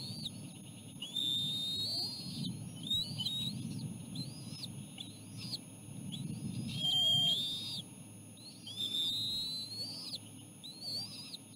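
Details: Ospreys at a nest while the parents feed a small fish to their chicks; a run of clear, upslurred whistles, some long and drawn out, others short and clipped, with low wind noise beneath.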